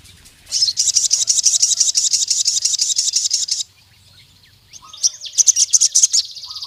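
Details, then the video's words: Crested jay calling a rival male with a long, fast metallic rattle of evenly repeated high notes lasting about three seconds, then a short pause and a second, choppier rattling series. "SUARA BURUNG SOGON NGALAS GACOR MEMANGGIL LAWAN JANTAN"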